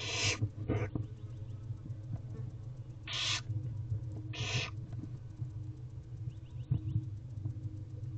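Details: Nestling barn owls in a nest box beg while their mother tears prey for them; several harsh hissing screeches, two close together at the start and two more mid-clip, over a low hum.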